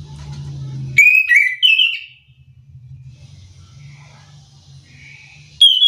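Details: Chestnut-capped thrush singing to rouse silent rivals into answering: low humming background, then a quick series of loud, slurred whistles stepping downward and up, faint distant whistles, and a final sharp whistle at the end.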